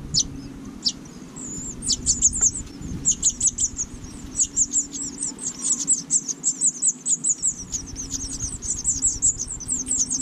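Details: Five fuzzy house finch nestlings in a porch nest in Watertown, NY, begging while the parents feed them: rapid, high, thin squeaky chirps in dense bursts that build in intensity, over a low steady hum.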